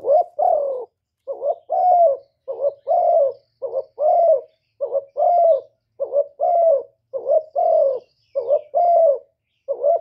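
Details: Spotted dove kept as a decoy in Cà Mau, Vietnam, calling to provoke wild doves: a steady, rapid run of mellow two-note coos, each pair a brief hoot followed by a longer drooping one, with almost no pauses.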